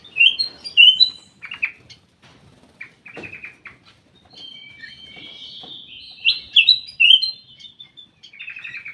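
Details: Captive ruby-throated bulbul in a private aviary delivering varied chirps and quick slurred whistles in bursts, with faint rustling and flapping between phrases.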